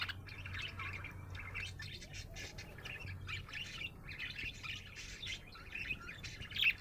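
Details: Budgerigar in good spirits, chirping and chattering busily with clicks and squawky notes, over a faint low hum.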